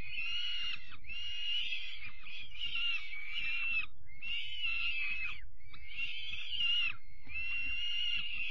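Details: Six or so distinct raspy screams, each about a second long and split by short gaps, from peregrine falcon chicks being fed in the evening on 5 May 2021, with thumping beneath.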